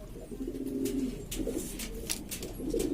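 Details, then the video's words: Noisy domestic pigeons from East Lombok, Indonesia, several breeds together, giving low, humming coos that rise briefly, accompanied by frequent sharp clicks and taps. "burung merpati ini ribut sendiri"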